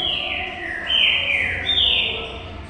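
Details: Green-winged saltator, locally trinca-ferro, singing; three rich whistled notes, each gliding downward, delivered in a smooth rhythmic phrase with a faint low hum behind.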